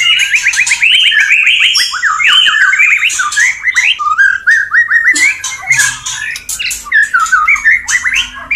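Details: Male white-rumped shama courting a female in mating condition: a loud, fast run of varied whistles, slurred notes and harsh chatters, hardly pausing, with scratchy squawks mixed in.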